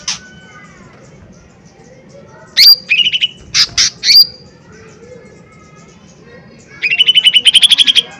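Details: Lesser green leafbird giving powerful trigger song: piercing high whistled notes and short chattering bursts, a silent gap, then an accelerating series of rapid buzzy notes rising slightly in pitch toward the end.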